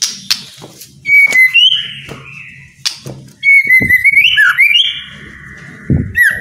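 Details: Song of a white-rumped shama, played so idle caged birds start singing: long steady whistles with upward slurs and short clicking notes between phrases, faint low hum behind.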